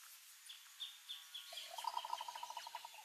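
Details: Green ibis in the Pantanal: after a stretch of faint high chirping from other birds, a quick run of harsh, clipped notes starts midway and repeats rapidly and unevenly until the end.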